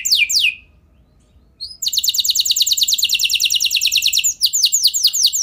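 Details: Singing F1 canary used to draw other canaries into song: short downward sweeps, a silent gap, then a dense rapid high-pitched trill of evenly repeated notes ending in falling slurred phrases.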